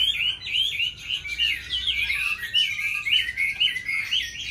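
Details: Oriental magpie-robin singing in competition with bulbuls, laughingthrushes and doves in Vietnam: a rapid, continuous run of bright whistled and warbled phrases, rising and falling, with short trills and no pauses.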